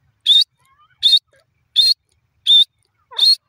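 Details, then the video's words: A francolin (teetar) gives five harsh, high, scratchy notes, each short and evenly spaced at just over one per second, with no other sounds. "teter bird ki awaz,teter voice"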